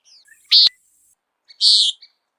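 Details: Common Nighthawk peent call: two short, loud, buzzy nasal notes about one second apart, with a brief sharp click after the first.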